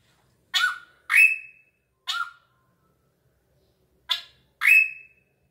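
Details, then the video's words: Drongo, described as a remarkable bird with an echoing voice: five harsh bursts, each ending in a clear whistled note, some held steady and high, others lower and slurred, in two loose groups with gaps between. "BURUNG SRIGUNTING SUARANYA MENGGEMAH"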